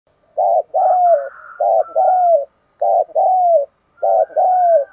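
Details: Spotted dove giving a 'thúc đấu' challenge-style coo, used to lure wild birds: four low, mellow two-part coos, each a short note then a longer falling one, repeated about every 1.2 seconds, with faint higher tones above.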